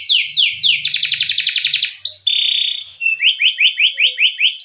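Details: Canary in full rolling song, used as a training lure: quick descending whistles give way to a rapid buzzy roll, a steady pure tone, then repeated sliding whistled notes about four per second.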